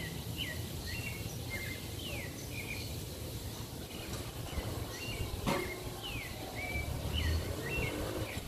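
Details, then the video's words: Tropical mockingbird singing in Parque Lefevre, Panama City, Panama, heard from a balcony: varied whistled phrases with falling slurs and brief trills, each phrase often repeated, against a constant low urban hum and one sharp knock. "Sinsonte Panamá"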